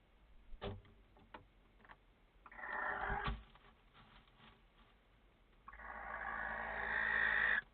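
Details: Barn owl in a nest box, 15 April 2017, giving two long, harsh hissing screeches, the second lasting about two seconds, with scattered knocks and scrapes between them.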